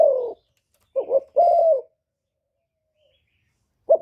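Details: Spotted dove used as a decoy in Cà Mau to lure wild doves, giving a short two-part cooing phrase: a wavering note, then a longer falling coo. A brief coo starts and ends the clip, with silence between.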